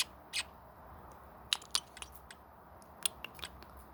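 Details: A male pet parrotlet makes a handful of short, sharp smacking kissing sounds and clicks, spaced irregularly over a few seconds, against a quiet indoor hiss.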